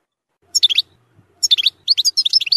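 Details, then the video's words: Goldfinch zilzal song with strong nahrat phrases for young goldfinches to learn; short clusters of liquid, high twittering notes, then a quicker, tumbling run of bright chirps toward the end, with a faint low knock in the quiet gap. "تغريد زلزال للتسميع صغار الحسون ،يحتوي على نهرات قوية"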